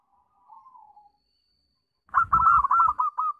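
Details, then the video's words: Zebra dove (perkutut) song used as a lure to prompt other doves to sing: a soft, faint low coo, a pause, then a loud burst of rapid staccato cooing notes running in a quick, uneven series. "Pancingan Perkutut"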